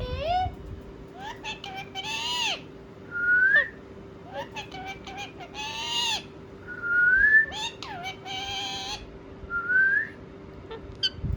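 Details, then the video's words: Pet ringneck parakeets talk and respond with mixed buzzy speech-like phrases, harsh screechy bursts and three clear rising whistles spaced a few seconds apart, over a soft background hum. "Parrot Talking | Ringneck Talking Parrot | Funny Parrot Sound"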